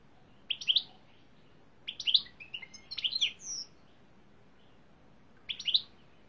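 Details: European greenfinch from a Turkish song-training recording, producing short separated bursts of high chirps and twitters, with one drawn-out nasal note in the middle, quiet background.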